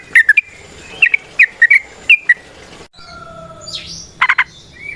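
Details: Sooty-headed bulbul in Indonesia, locally called trucukan or jogjog, natural sound used as a lure for other birds: short bright whistled phrases around the mid range, several notes grouped and repeated about once a second, then a softer gliding note and faint background.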